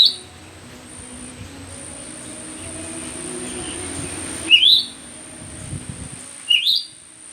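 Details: Myzomela, raw footage from 25 December 2022; after a quiet stretch come two quick upward-sweeping chirps about two seconds apart, with a constant thin high whine and faint low rumble underneath.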